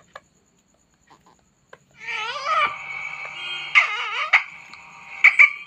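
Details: Talking parrot kept as a pet, eating an apple: after near silence, loud harmonic squawks and wavering, voice-like rising and falling calls, ending with sharp high clicks.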